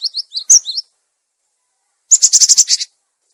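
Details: Cinereous tit lure sound, clear-voiced, also used to train tits that have stopped singing: a quick run of short downslurred high chirps, then after a pause a dense buzzy rattling burst of rapid notes.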